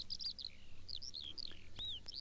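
Eurasian skylark pouring out a fast, unbroken stream of high chirps, slurred whistles and rolling trills, over a faint low hum.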